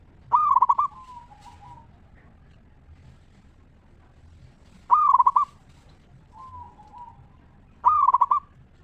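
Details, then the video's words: Local zebra dove singing a clear 'ngeristal' style song used as a lure to make other zebra doves answer: three loud, rapid trilled cooing phrases, each about half a second, recurring every three to four seconds, with softer drawn-out coos between. "Perkutut Lokal Gacor RAJA PIKAT Suara Ngeristal Paling Ampuh Bikin Semua Perkutut Nyaut Gacor"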